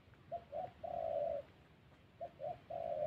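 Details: Spotted dove in the wild forests of Vietnam's Central Highlands, giving the call trappers call thổ. The coos are faint and low: two short notes, then a longer drawn-out note, repeated twice over steady background hiss.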